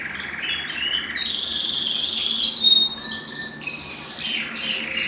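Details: Varied Belgian canary song, for stimulating males and bringing females into breeding condition, mixing buzzy rolled phrases, a brief clear whistle and lower chirping notes in quick succession.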